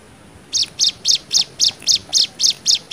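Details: A Hill Prinia sings in the 'nembak' manner, offered as tutor song for young birds: after a short silence come ten evenly spaced, shrill chips at about four per second.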